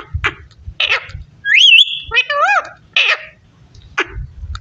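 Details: Talking parrot mixes harsh, breathy speech-like syllables with a clear wavering whistle and a quick series of rising warbled notes, over low indoor murmur.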